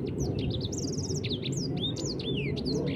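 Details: Ashy tailorbird, known locally as sanger, singing a lively run of high whistled notes, many rising or falling slurs and short trills, some buzzy, over steady low rumbling background noise.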